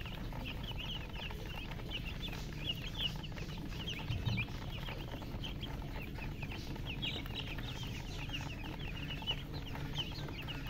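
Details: Chicks keep up constant high, piping cheeps in quick overlapping bursts for about ten seconds, a busy chorus of many young birds over a low droning hum.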